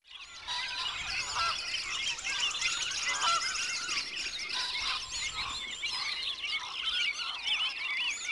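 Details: Wood ducks calling in a dense, continuous chorus of overlapping high squealing and rising whistled notes, with no pauses and no other clear sounds.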